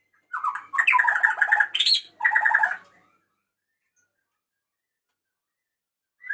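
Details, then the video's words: Male white-rumped shama calling a female, pouring out two dense bursts of rich, fast warbling whistles and chatter, followed by silence and a final short note. "SUARA KICAU BURUNG MURAI BATU JANTAN MEMANGGIL BETINA"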